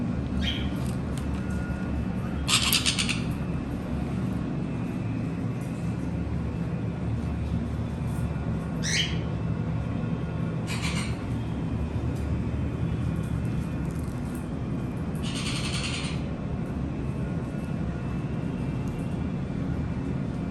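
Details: Playing conures let out scattered loud, harsh squawks a few seconds apart, some rising briefly, against a constant low background rumble.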